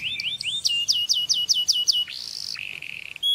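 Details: Singing canary, a tweet for another bird to learn: a quick series of sharp falling whistled notes, then a drawn-out rising buzzy note and a lower rattling trill, ending on a bright whistle.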